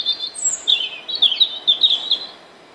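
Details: European robin singing a fluid phrase of high, thin warbled notes and short trills, shifting quickly in pitch, with a brief sharp high note near the start and quieter fading notes at the end.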